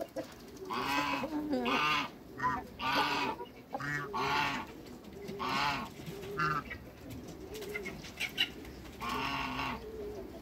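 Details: African and Toulouse geese, six birds newly met, call in loud drawn-out nasal honks in irregular bursts, each lasting about half a second, over a bed of softer low cooing notes.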